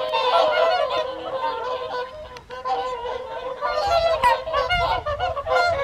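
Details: Whooper swans gathered for the evening feed at WWT Caerlaverock's Folly Pond in January; many birds give overlapping trumpeting honks, a brief lull midway, with low rumbling background noise.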